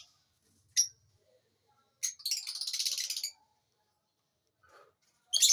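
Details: Lovebird chirping: one isolated sharp chirp, then a raspy, rapidly pulsing chatter lasting just over a second, a quiet pause, and a final harsh note.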